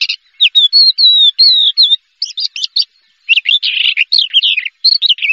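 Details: Prize-winning Horsfield's bush lark delivers a varied high song, level whistles giving way to jumbled, fast twittering phrases and harsh chattering bursts, clean and close.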